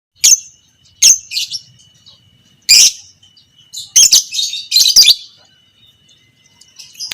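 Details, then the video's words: Fighter lovebird of the creamino colour variety giving the long chattering 'ngekek panjang', used as a training recording for other lovebirds; sharp high shrill bursts come in separate bursts about a second apart, with a faint steady high tone underneath. "Masteran Burung Lovebird Fighter Ngekek panjang - Suara Burung lovebird biola pb creamino"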